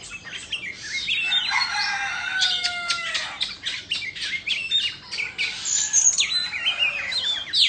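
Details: Singing and dancing Indonesian white-rumped shama with tail spread: steady low whistled tones and crisp clicking notes give way to a rapid stream of high chirps and trills.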